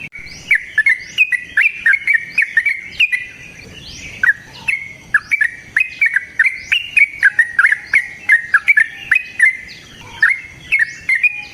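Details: Energetic long rapid song of a yellow-vented bulbul, used to prompt a bird to sing; fast, tumbling liquid whistles in close-packed phrases with sharp clicks and a brief lull midway.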